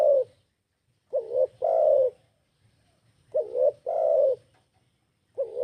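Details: Repeated song of a spotted dove: mellow low coos in paired phrases, a brief bouncing double note leading into a longer smooth note, about two seconds apart.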